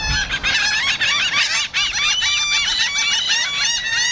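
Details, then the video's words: A crowd of seagulls and black-headed gulls yelling together, recorded using a Rode Stereo VideoMic; shrill, overlapping cries keep up without a break, many voices layered at once. "Loud Bird Sounds, Seagulls Yelling"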